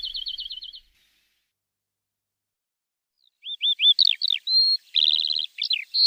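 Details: Javan bush lark training song for untrained birds: a short trilled burst, about two and a half seconds of silence, then upturned chirps, a sharp twittered note, a long whistle and a buzzy trill.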